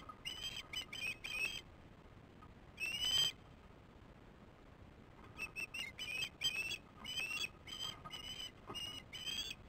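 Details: Osprey chicks at the nest, recorded at 18:44 on 08/06/15 while working on the nest: bursts of sharp whistled piping notes, a lone call near three seconds, then a longer run of repeated whistles after a quiet pause.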